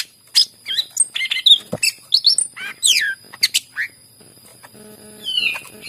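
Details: Greater green leafbird singing to stir other leafbirds into song, clusters of quick chirps and descending slurred whistles, a short lull, then a final falling note.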